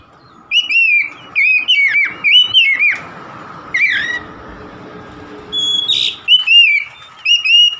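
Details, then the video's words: Oriental magpie-robin song: repeated loud whistled phrases with rich, slurred notes, a harsher scratchy note near the middle, a brief pause, then more bright whistles over a light background hum. "DI JAMIN KACER SETRES MACET BUNYI LANGSUNG GACOR"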